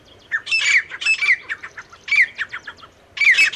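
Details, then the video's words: Male and female partridge (teetar) calling: four loud, harsh, squawking bursts with grating notes that drop in pitch. Short pauses separate the bursts, and there is little background sound. "नर और मादा तीतर साउंड। Male teetar and female teetar voice."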